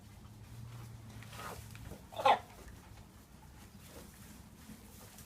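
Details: A three-year-old buff Brahma hen from a free-range mixed flock gives a single loud, harsh, bark-like croupy cough midway, with quiet low farmyard hum and faint distant sounds around it.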